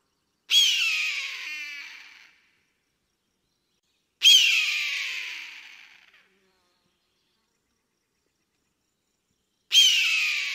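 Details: A hunting eagle flying in the sky gives three harsh, high, descending screams, each about two seconds long and spaced several seconds apart, with silence between.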